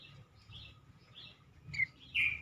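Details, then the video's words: A shortwing (cingcoang) gives soft, high warbled notes, then two sharp bright chirps near the end, over faint background hiss; the call is used as a lure to make other cingcoang sing more often. "burung cingcoang lain semakin gacor dan rajin berbunyi dengan pancingan ini"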